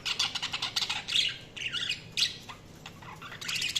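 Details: Rapid budgie chirps and squeaky warbles, several voices overlapping in short uneven bursts, with a brief lull after two seconds before the chatter picks up again at the end.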